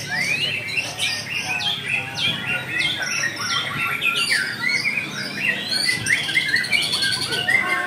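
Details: White-rumped shama singing in a contest, delivering a dense stream of sharp upslurred whistles and rapid chattering trills, with other birds' song overlapping throughout.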